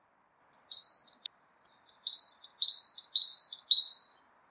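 A great tit repeats a bright two-note phrase, a high note dropping to a slightly lower one, about six times in quick succession, with nothing else heard.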